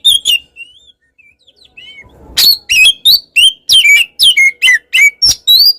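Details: Oriental magpie-robin, a kacer said to provoke rival birds, opens with two brief whistles, falls quiet apart from faint soft notes, then pours out loud rapid downslurred whistles and sharp chirps, several each second.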